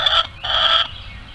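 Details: Farmyard chicken screaming near the coop while trying to lay an egg: two loud, harsh, sustained squawks, the second longer, with rich harmonics.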